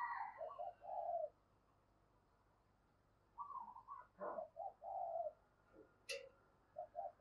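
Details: Female dove calling to stimulate males: soft, low cooing phrases in short groups, a pause of about two seconds, then another run of several coos, with a faint background hiss.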